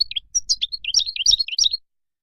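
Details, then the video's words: European goldfinch wild song used to teach young birds: a brief, dense run of bright twittering and liquid warbled notes lasting under two seconds. "تغريد الخلوي أو البري لطائر الحسون"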